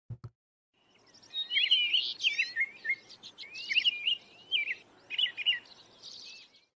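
An American Robin sings a run of clear, whistled caroling phrases, rising and falling, with brief pauses and some thin, squeaky high notes mixed in.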